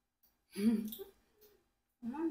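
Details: A 4-year-old pet Congo African grey parrot, out of its favourite treats, talks in a small quiet room: a burst of human-like words, a soft murmur, then the start of another phrase.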